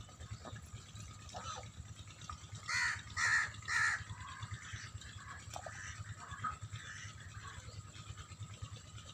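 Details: White geese on a farm, happy in the water, let out three loud harsh honks about half a second apart, with faint soft calls and a constant low hum around them.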